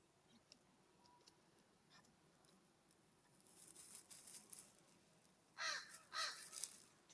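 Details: California scrub-jay at a ground bird feeder uphill from a cabin on a warm September morning; after quiet rustling and faint chips, two or three loud, raspy, broadband calls burst out in quick succession near the end.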